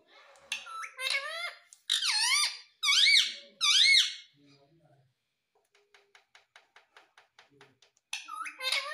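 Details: Pet Indian ringneck parakeet in India, taught to say words like mummy and papa, giving loud squeaky harmonic phrases with swooping pitch, then a pause of soft rapid clicks before another burst of squeaks.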